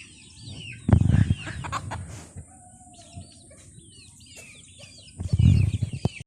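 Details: Chickens eating, with scattered high peeping notes over a quieter background and two bursts of loud, low rustling and scratching at the start and near the end.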